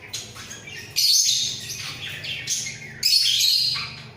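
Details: A budgerigar pair in a breeding cage chatters while head-bobbing: quiet twitters, then loud, buzzy warbling bursts at about one and three seconds, over a faint low hum.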